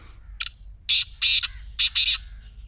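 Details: Single black francolin phrase used to make a quiet partridge start calling: a short sharp note, then four loud, scratchy, grating notes in a quick, uneven rhythm. Nothing else is heard.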